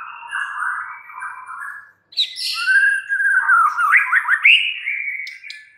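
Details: White-rumped shama pouring out a continuous mellow warble, then after a short break a loud rich phrase of buzzy high notes and fast rising, quavering whistles.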